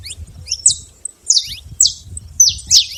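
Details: Saffron finch singing free in the wild: short, high, sharp chirps given in spaced pairs and bursts, each note sliding downward, with faint low rumble underneath.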